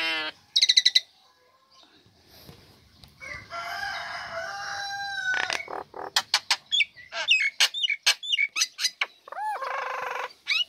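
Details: Caged female Nias hill myna singing eagerly once uncovered, kept to coax lazy birds to sing: scattered harsh notes, a long drawn raspy phrase, then rapid sharp whistles and clicks, and a final nasal burst.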